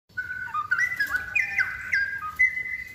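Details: Straw-headed bulbul, a lively gacor singer, delivering rich bubbling whistled phrases that jump and slur between pitches in quick succession, a loud continuous warbling run with a faint low hum beneath.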